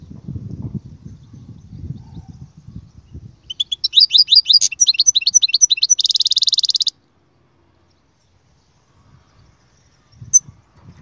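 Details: Low rumbling background gives way to a goldfinch's rapid slurred twitters and a harsh buzzing trill, then silence and a brief return of rumble.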